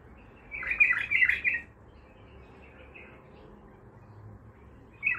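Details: A raw (untrained) Baghdadi-type bulbul gives one bright, warbling burst of about a second, with faint notes after it; near the end a new phrase starts over a low room hum.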